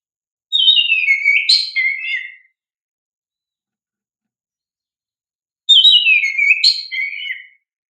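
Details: Oriental magpie-robin (kacer) lure song for training young caged kacer birds: two matching phrases about five seconds apart, each a falling run of fluty whistles with sharp high notes mid-phrase, clean background.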